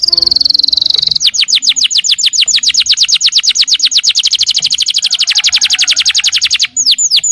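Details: Canary singing a long 'nembak' song to provoke other canaries: a sustained piercing high tone, then a long, rapid, evenly pulsed trill of repeated notes, closing with a few sweeping whistles.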